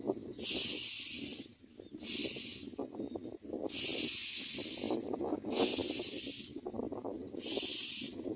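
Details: Hungry common myna young begging at the nest: loud, breathy hissing bursts lasting about a second, repeated every second or two, over a steady low murmur of background noise.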